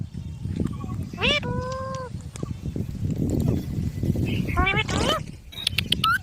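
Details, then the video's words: Green parrots utter a few drawn-out, level harmonic calls and a later rising phrase, with heavy low-pitched background noise throughout. "Beautiful Green Parrots Talking | Funny Parrot Sounds"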